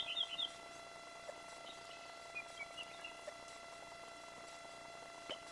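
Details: Bald eagle family at the Fraser Point nest, Santa Cruz Island, California, 14 May 2024, two adults and two eaglets on the nest: a quick burst of thin, high chirping notes, then scattered squeaky peeps, over a steady electrical hum.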